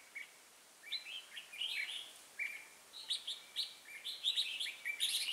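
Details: Red-whiskered bulbul decoy for trapping sings a fighting song: a sequence of quick whistled and warbled notes, steady after a brief quiet start, ending in a dense bright flourish.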